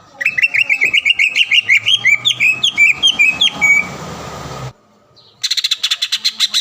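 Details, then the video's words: Lure song of a green leafbird meant to trigger a rival to sing and become agitated: a long varied warble of sliding, mimic-like whistles over a faint hum, a brief silence, then rapid rhythmic high chattering notes. "PANCINGAN CUCAK IJO GACOR AGAR CUCAK IJO LAWAN SEKETIKA LANGSUNG BUNYI DAN EMOSI"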